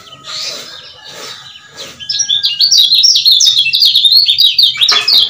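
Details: Male lemon-bellied white-eye, Lombok type, used to provoke rivals: a few soft, breathy notes, then from two seconds on a loud, fast chatter of shrill, up-and-down chirps running to the end.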